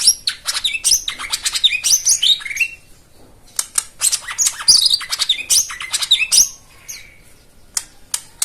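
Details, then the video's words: A white-eye's twittering song, offered as therapy for stalled singers: energetic runs of high chips and sharp slurred whistles in two long bursts, with quieter scattered notes between. "Spesial Untuk Jomin dan Macet Bunyi Isian Mewah"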